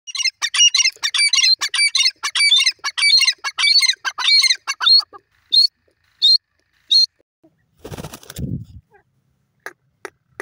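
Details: Grey francolin chorus: dense, harsh, high notes repeated rapidly for about five seconds, then three or four spaced single notes, followed by a brief low rustling or flapping burst and a few faint notes.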